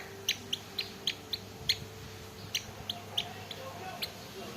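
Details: Hume's white-eye with a hoarse voice and cough gives short, husky chip-like notes about every half second, high-pitched but rough, over a low background hum.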